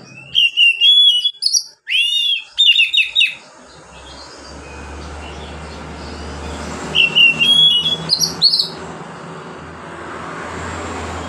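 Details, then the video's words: Oriental magpie-robin singing relaxed phrases to encourage reluctant magpie-robins; several loud bursts of fast whistled and chattering notes early on, a long hissing gap with low rumble, then another short whistled phrase. "KACER NGEPLONG SANTAI COCOK BUAT PANCINGAN KACER MALAS BUNYI."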